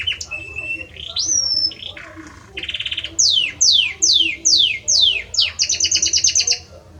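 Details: Belgian canary cock in full song for the hen: a flat whistle and a rising glide, a soft buzzy roll, then six loud descending swooping whistles and a fast bright chattering trill.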